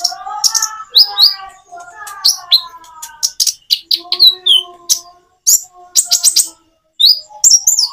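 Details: Common iora song with natural pauses, made to prompt reluctant birds to answer: high sharp chirps and slurred notes mixed with lower drawn-out whistles, broken by short silent gaps.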